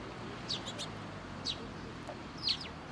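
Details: Early-morning sparrows coming to be fed at a Tenmangu shrine, 18 October 2022: a handful of brief, high, sharp chirps spaced roughly a second apart over a faint steady background hum.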